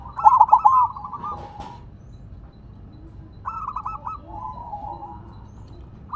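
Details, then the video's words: Zebra dove, silver type, placed on the ground and singing energetically; a loud staccato cooing phrase opens, a second softer phrase follows after three seconds, with low rolling coos between. "Perkutut Silver Tetap Gacor Walaupun Ditaruh Tanah"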